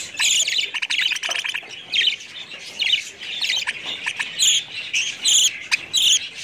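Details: Budgerigars trading loud scratchy squawks and fast ticking chirps, with several sharp high notes toward the end.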